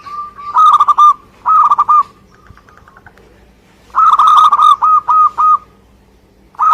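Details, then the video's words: Local Indonesian zebra dove (perkutut) in vigorous song: two bouts, each opening with a short quavering lead-in and then a quick run of five to seven clipped, mellow cooing notes. Quiet pauses come between the bouts. "Suara Gacor perkutut lokal"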